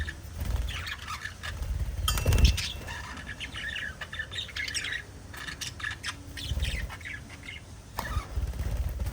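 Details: Chirping from pet budgerigars: soft, scratchy warbling and short chirps, broken by low thuds and knocks, probably birds moving around in the cage.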